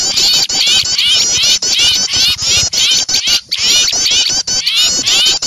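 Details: Frightened small birds mobbing an owl, as a bird-luring sound: a loud, unbroken run of high, quick, squeaky chatter from many birds, with hardly any pause.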